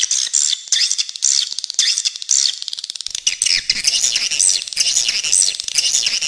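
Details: Swiftlets calling with repeated high, rising-falling squeaky notes and buzzy trills; a low rumbling background noise comes in halfway through.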